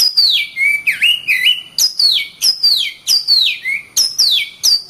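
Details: Lively gacor song from an Oriental magpie-robin: a rhythmic series of loud whistled notes, each sweeping down from high to lower pitch, repeated at a steady fast pace.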